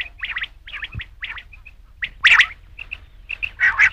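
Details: Rain quail call: quick scratchy double notes mixed with clear short pips, ending in two louder harsh bursts, with a single low thump early on.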